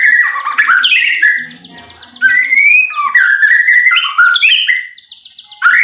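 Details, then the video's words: Lure recording of white-rumped shama song to stir kept birds into singing. Rich whistled phrases swoop and slide over a steady buzzy trill, with short pauses between the loud bursts. "pancingan murai batu AGAR BUNYI jitu untuk JADIKAN murai batu GACOR EMOSI"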